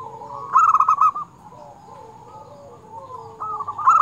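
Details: Zebra dove, a local bird singing actively with a clear 'crystal' voice, used for luring and for training quiet doves. A loud burst of fast pulsed coos, a lull with faint cooing, then another burst beginning.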